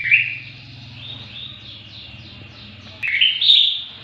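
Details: Greater green leafbird song for training songbirds: a sharp opening note, soft quick warbling, then a loud burst of rising whistles, with a low steady hum underneath.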